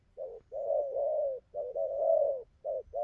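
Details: Wild-caught spotted dove, newly into its song pattern and cooing well, gives low hollow coos in a near-continuous run: a short note, two long sustained coos, then shorter clipped coos with brief gaps, fairly indoors-sounding.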